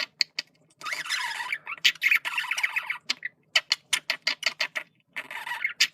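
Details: Male budgerigar communication: long scratchy warbles with sliding notes, broken by a series of sharp evenly spaced clicks, then another warbled phrase.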